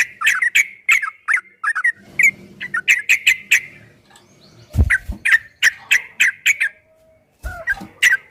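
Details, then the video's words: Yellow-vented bulbul in a long, fast 'ropel' style song, used as a training recording for kept bulbuls: bright, bubbly mid-pitched notes in rapid bursts, with pauses and low thumps near five and seven and a half seconds. "Suara burung trucukan MASTERAN TRUCUK ROPEL 2023 TERBARU ‼️PASTI GACOR, TRUCUKAN ROPEL PANJANG"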